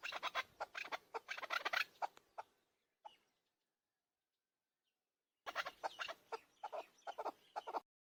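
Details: Chukar partridge, called keklik, giving rapid bursts of harsh clucking chuck notes for about two and a half seconds, then a short single note, a silent gap, and a second fast clucking run near the end.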